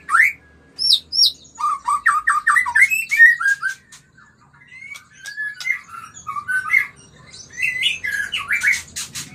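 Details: White-rumped shama (murai) song used as a lure to stir breeding and mating: rich, clear whistled phrases, quick runs of repeated rising notes, sharp high squeaks and buzzy clicks, with brief pauses between bursts.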